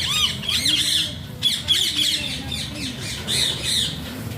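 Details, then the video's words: Loud, raspy Alexandrine parakeet squawks come in clustered bursts of about three to four notes, with brief pauses between groups over a low hum. "Alexander pahaadi tota funny talking sounds"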